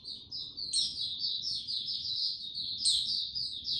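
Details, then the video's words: White-eye male building up slowly toward full song, 6 March 2022: an unbroken ribbon of high, sweet twittering with two sudden sharper squeaks standing out. "Mata Puteh Before he open buka Tsunami Video 1 gaining confidence to buka slow n steady"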